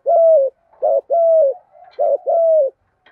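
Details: Captive spotted doves coo in the 'giọng đồng' style, meant to prompt other doves to call. A brief lead note is followed by a long, smooth, slightly falling coo, repeated three times.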